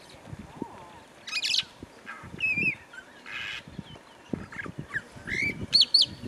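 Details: Rüppell's long-tailed starling sings at midday in Serengeti National Park, Tanzania: a rambling medley of short slurred whistles and harsh, buzzy rasps in quick bursts, with soft low thumps underneath.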